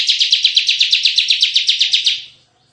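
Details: Bar-winged prinia in the full tembakan style of a lively ciblek, for luring and tutoring birds: one loud, fast, buzzy trill of even pulses, about eight per second, fading out after two seconds.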